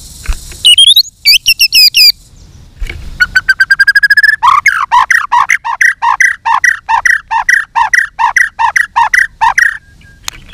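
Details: White-rumped shama singing a fighting song with tail-flicking display. A few looping whistles lead into a long, rhythmic series of repeated short notes, delivered several per second for about six seconds.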